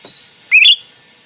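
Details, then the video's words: Rio Rio myna (jalak rio rio), a kept songbird used as a master for other songbirds to copy, singing actively: a single loud, sharp whistled note sweeping upward and wavering, about a quarter second long, over a quiet background. "Jalak Rio Rio Gacor || Masteran Yang Unik Untuk Burung Kicau Kalian"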